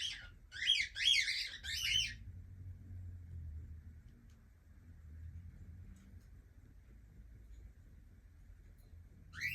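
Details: A young cockatiel bursts into a quick cluster of four or five raspy chirps, then falls silent for several seconds before one more call begins; soft household hum fills the gap.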